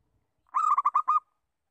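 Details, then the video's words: Lure call from a local zebra dove: one brisk phrase of about five rolling coo notes, the first drawn out, the rest quick and evenly spaced, with no other sounds. "Perkutut Lokal Bersuara Pikat"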